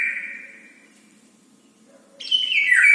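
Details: A bird asking for food at breakfast, as it does every morning; a steady high whistled note fades out, then after a pause a louder shrill squealing call returns, with a faint low hum beneath.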